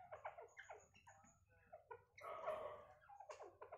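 A francolin gives harsh, squawky, chattering notes in quick uneven bursts, swelling into a louder grating phrase midway, in a quiet, close indoor-sounding setting.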